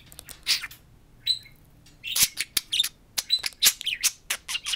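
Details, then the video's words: Two talking pet budgerigars at a mirror: a few scattered chirps, then dense fast warbling chatter with clicks and squeaky notes. "Two talking parakeets speak to a mirror"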